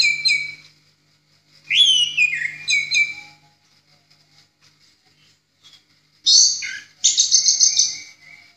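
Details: Ngeplong-style song of an Orange-headed thrush, used as a master for training other songbirds. Several separated phrases of clear down-slurred whistles, then a loud, rapid, buzzy trill ending in lower whistled notes.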